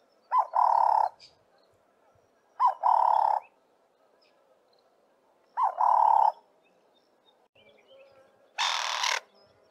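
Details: Ring-necked dove, known too as Cape turtle dove, giving a shorter variation of its "work harder" call. Each phrase is a brief rising note joined to a rough, buzzy coo, given three times about every three seconds, followed by a loud broadband rushing burst.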